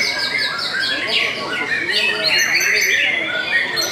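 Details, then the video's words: Belanda-type white-rumped shama in song: a quick series of short, falling whistled notes repeated at first, then a tangle of buzzy, warbled phrases, with steady background noise throughout. "TOP CERR🔥 Murai Batu BELANDA Memang TOP - Masih Stabil"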